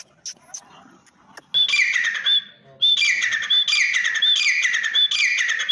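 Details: Grey francolin (teetar) calling: after faint clicks, loud harsh repeated phrases begin at mid-clip, each a scratchy burst ending in a sharp upward whistled note, about four phrases in quick succession.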